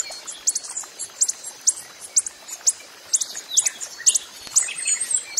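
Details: Coppery-headed emerald in the wild, giving sharp, very high ticking notes about twice a second, some doubled, with softer chirps from other birds underneath.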